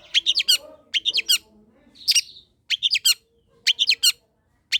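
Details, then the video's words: Long-tailed shrike song, played to stimulate lazy shrikes to sing: repeated clusters of three or four scratchy, buzzy chattering notes about every second, with one broad harsh squawk in the middle. "cendet pastol gacorr || sangat cocok buat pancingan dan masteran cendet malas bunyi"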